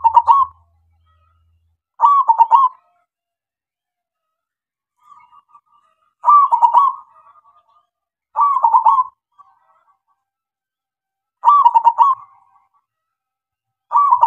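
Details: Local zebra dove cooing as a lure to draw other doves into singing, giving short low bubbling coo phrases repeated at intervals of about two seconds.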